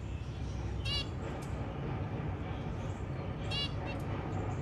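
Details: Zebra finch at the nest while a baby hatches and the mother carefully helps remove it from the eggshell; two short nasal, harmonic calls about two and a half seconds apart over a steady low rumble.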